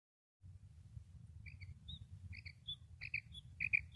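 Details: Female common quail (Coturnix coturnix) call: short, high, paired chirping notes in quick irregular bursts over a steady low rumble.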